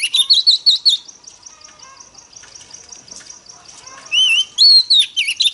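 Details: Female Oriental magpie-robin singing in the forest-voice style to rouse males. A burst of loud, clear whistled notes with rising and falling slurs opens and closes the clip. Between them runs a quieter stretch of soft, repeated chirps.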